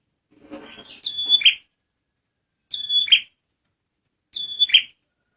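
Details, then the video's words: Red prinia (prenjak merah) male used as a lure: soft rustling, then three clear whistle-and-buzz phrases. Each thin high note ends in a harsh trill, spaced roughly 1.7 seconds apart. "SUARA BURUNG PRENJAK MERAH PEMIKAT GACORRR"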